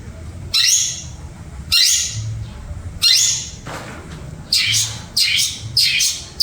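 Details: Caged long-tailed shrike (pentet) kept as a songbird, giving harsh, raspy broadband squawks in short bursts, a few seconds apart, then three quicker bursts close together near the end; faint low hum indoors.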